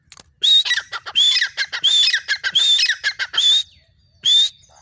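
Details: Harsh squawking phrases from a female grey francolin come in a fast, uneven run of grating notes topped by short whistles. The run stops briefly, then one final loud note follows.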